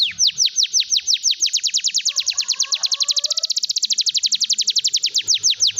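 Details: Singing canary, played to prompt silent canaries to sing: a long rolling trill of high, downward-sweeping notes that speeds into a rapid chatter mid-phrase, then slows again. Faint low murmurs sit underneath.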